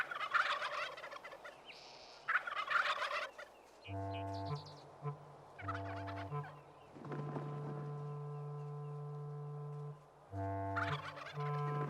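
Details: Wild turkey toms gathered in a spring strutting arena to lure hens from the surrounding woods gobble in rapid, rattling bursts, several times in a row, over low sustained orchestral music.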